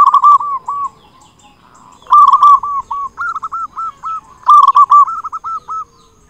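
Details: Local zebra dove with a big voice, a frequent singer used as a lure to stir other zebra doves into song: three bursts, each opening with loud harmonic-rich notes and running into a rolling series of soft, mid-pitched cooing notes.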